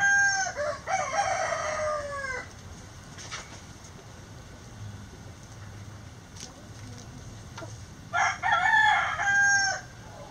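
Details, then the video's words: Backyard chickens relaxing in their coop: two bursts of loud, nasal, harmonic squawking calls, the first lasting about two seconds with falling notes, the second near the end, separated by a quiet stretch with faint clicks and rustling. "Backyard Chicken Sounds"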